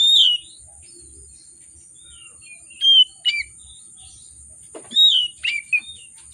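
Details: Agitated oriental magpie-robin (kacer) singing a lure song for reluctant birds: a loud whistle opens, then after a quiet gap two short clusters of sharp, slurred high whistles and clipped notes, with a faint steady high tone.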